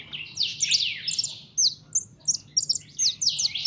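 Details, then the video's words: Young pet European goldfinch, called pintón, singing: rapid liquid twitters and sliding high notes in quick bursts, with bright tinkling phrases following closely one after another. "Mi jilguero pinton"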